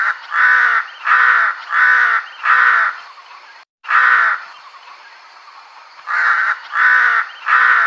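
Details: A crow call used by hunters to attract crows: harsh, hoarse caws in quick runs, four in a row, a lone caw after a pause, then three more, each about half a second long.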